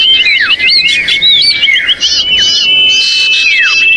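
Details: Common iora (sirtu, cipoh) lure call, a noisy screaming recording used to draw birds down. Dense overlapping high whistles with quick downward-slurred notes run over a steady thin whistle held almost throughout, loud and continuous.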